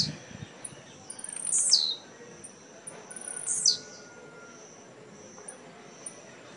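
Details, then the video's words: Blue-black grassquit singing in a Jacarepaguá tournament, Rio de Janeiro, 18 November 2017; two sharp buzzy descending bursts two seconds apart, faint high clicks and a thin whistle-like tone between. "Tiziu CAMISA 10 ' 2° lugar & EXPLOSIVO 4° lugar no torneio de Jacarepaguá"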